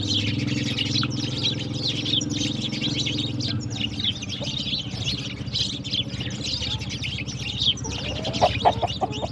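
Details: Morning sparrows at water, drinking and playing, keep up a busy chatter of short high chirps throughout, with a few louder lower notes near the end and a constant low drone behind.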